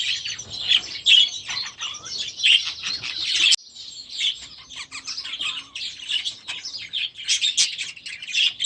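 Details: Flock of last year's young budgerigars in their new aviary, early in the season: busy, overlapping warbling chatter with sharp squeaks and occasional clicks, briefly quieter after a sudden break midway.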